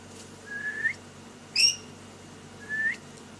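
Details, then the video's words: Pet lory indoors while playing: a soft rising whistle, a sharp high chirp, then another soft rising whistle. "DAILY ACTIVITY OF LORY BIRD, PLAYING SINGING"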